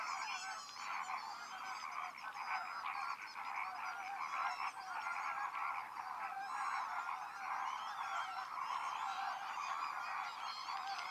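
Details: A flock of greater flamingos at the Lagunska ribogojnica nature reserve on 4 January 2024 keeps up a steady, dense chorus of nasal, goose-like honks and gabbling, with many birds calling over one another.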